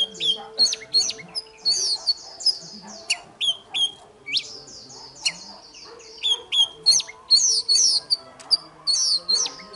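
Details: Morning fighting song of the oriental magpie-robin: a steady stream of short whistled and clicking phrases, nearly three a second, with brief pauses and a quiet low hum in the background.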